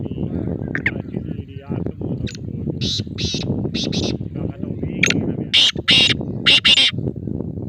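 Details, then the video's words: Black francolin male voice with harsh, grating call notes in short grouped bursts. They rise above steady low rumbling and murmuring background noise, with the loudest rasping phrase near the end. "Kala Teetar Bolna Shuru | نہ بولنے والا تیتر بھی بولے گا"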